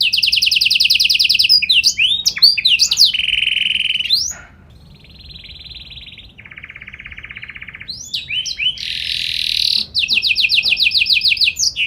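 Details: Energetic canary with piercing notes and special phrasing, aimed at prompting other canaries to sing back: loud rapid trills and rolls at several pitches, a quieter low rattling section, then bright trills and sweeping notes again.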